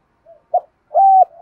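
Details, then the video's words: Decoy spotted dove calling to draw in wild doves. A brief snatch: a faint soft note, a short low coo, then a longer steady hollow coo, with another starting at the end. "chim cu gáy mồi THÚC GÙ = GÁY GỌI + BÀI BẢN"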